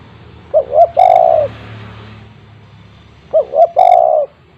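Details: A spotted dove with a big voice coos loudly. Its call is used to lure other doves. Each phrase has two quick swelling coos and one longer, drawn-out coo. The phrase comes twice, about three seconds apart, over a faint steady background hum.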